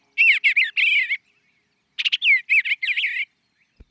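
Eastern Bluebird song: two soft, warbled phrases of gurgling, rising-and-falling notes, about a second each, then a brief click.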